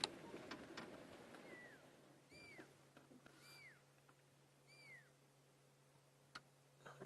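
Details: Fork-tailed Drongo (Dicrurus adsimilis) in Sabi Sands on an evening drive, 26 June 2016, mimicking a Pearl-spotted Owlet's territorial call: four clear, high arched whistles about a second apart, over a low engine hum with a few clicks.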